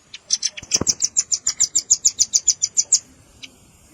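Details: Velvet-fronted nuthatch calls blended with juvenile calls for bird luring: a brief scrape and soft chips lead into a steady, rapid string of piercing high notes that stops abruptly, with one later chip.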